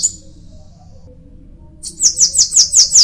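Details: Bananaquit singing: after a near-silent pause, a sudden run of six quick, very high, sharply slurred buzzy notes at an even pace.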